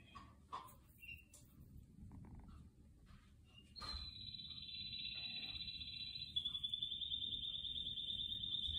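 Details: Canaries singing indoors among houseplants; after scattered short notes, a long steady high-pitched trill starts and then switches to a rapid, evenly pulsed rolling trill, over a constant low background hum.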